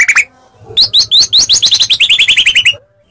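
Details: White-rumped shama of the Medan type singing a fighting lure to provoke other shamas to answer: a short falling note, then a fast run of about fifteen bright upslurred whistles, slowing and dropping lower toward the end.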